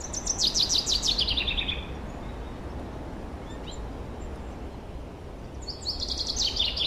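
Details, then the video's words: Spring forest birdsong from 2023, with a fast descending trill of sharp repeated notes at the start, quiet faint chirps in between, then another bright falling trill at the end over constant low hum. "Пение лесных птиц. Пение птиц."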